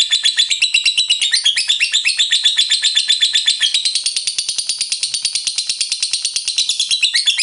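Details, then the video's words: Lovebird in full ngekek, a long unbroken chattering song; rapid high buzzy notes repeated about four times a second without pause, steady and piercing, in a small room. "LOVEBIRD FULL NGEKEK"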